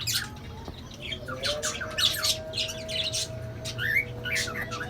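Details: Cockatiels being given a bath give repeated harsh, scratchy squawks and short chirps over a steady low hum.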